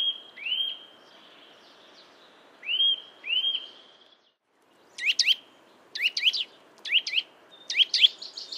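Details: Eurasian nuthatch around a yard in Joroinen, Finland: clear, upslurred whistles, at first single or paired, then quick rising notes repeated about once a second.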